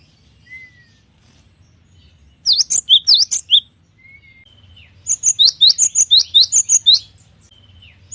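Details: Cinereous tit (gelatik batu) singing actively ('gacor'): a short burst of see-sawing high notes, then a longer run of about ten rapid ringing notes, with faint thin whistles before and between them.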